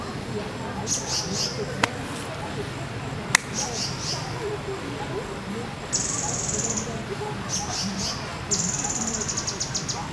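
Grey-headed canary-flycatcher giving short, very high, thin sibilant bursts and longer buzzy trills every second or two, over a low background murmur with a couple of sharp clicks.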